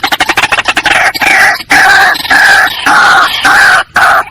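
A White-breasted waterhen opens with a quick run of clucking pulses, then gives loud, harsh, nasal notes repeated roughly twice a second.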